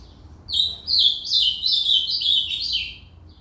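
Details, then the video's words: Singing ultramarine grosbeak (reinamora), cantoria style: a fast, rich warble of downslurred whistled notes strung together into one continuous phrase of about three seconds, clear against a quiet background. "Reinamora cantando ( Azulao cantoria)"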